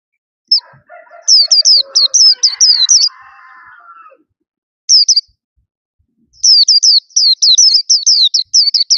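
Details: A caged white-eye sings with bright, imposing voice: high rapid chirped notes over a lower harmonic droning sound, a single brief note, then a long fast run of repeated twittering notes.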